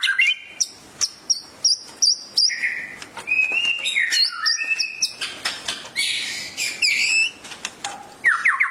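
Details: White-rumped shama (murai) singing vigorously and agitated ('gacor emosi') after hearing a played masteran training recording; loud sharp whistled notes and high chirps in quick bursts, mixing rising slurs and buzzy phrases, with short pauses between.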